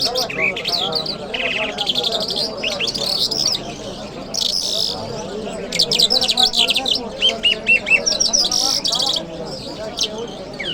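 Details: In Kabul on a Friday morning, a lark (jal mashhadi) sings a long, varied stream of high whistled slurs, chirps and buzzy rattles, briefly pausing midway, with a low background murmur.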